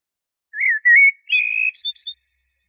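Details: Eurasian blackbird song phrase: mellow whistled notes sliding and warbling, ending in a few higher, thinner twittering notes. Clean background.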